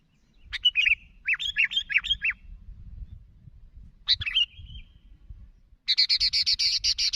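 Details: Sooty-headed bulbul calling to others: a burst of short chirpy notes with looping falling-and-rising inflections, a lone phrase mid-clip ending in a slurred trill, then a harsh rapid chatter of broad buzzy notes closing out.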